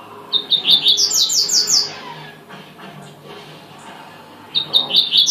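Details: High, rapid trill from a double-collared seedeater, short clipped notes speeding into a glittering run, then a pause and the start of another phrase.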